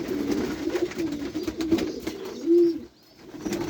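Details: Pet pigeons making deep, murmuring coos. Several short rolled notes lead to one louder, drawn-out coo, followed by a brief pause.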